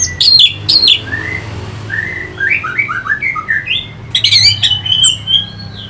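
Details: Orange-headed thrush, caged bird, song for stimulating fighting birds; sharp loud notes open, then a gentle series of short slurred whistles, ending in a dense burst of chirps and warbled phrases over low hum.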